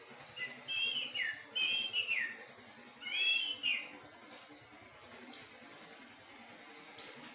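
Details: Anis teleng thrush in varied song: three slurred mid-pitched whistled phrases, then a fast run of very high, sharp, clipped notes repeated at roughly half-second intervals over a quiet low hum.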